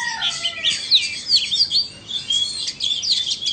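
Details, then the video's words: Oriental magpie-robins from Vietnam and Indonesia competing in song: a falling whistle opens, followed by quick overlapping upslurred chirps and sharp high twitters in a busy, continuous flow. "Chòe than VN đấu với Chòe Than Indo"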